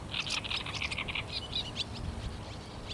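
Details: Great Reed Warbler song on 5 May 2021, with barn and house martins around: a fast burst of harsh, chattering notes, then scattered squeaky phrases, over a low background rumble.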